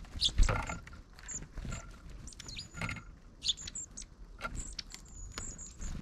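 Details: Long-tailed tits in a flock that includes one short-tailed individual, recorded 31 December 2022; thin, very high-pitched calls repeated in quick series, with a few short rising sweeps, over low rustling and thumping noise.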